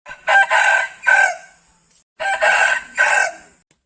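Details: Rooster (domestic chicken) gives two full crows about two seconds apart, each a loud, harsh, multi-part cock-a-doodle-doo that ends in a drawn-out falling note.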